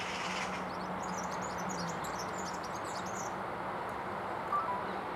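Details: European serin singing while perched only a few metres away, unafraid of the observer; a faint, high, jingling trill runs for about three seconds over a steady low hum and background noise.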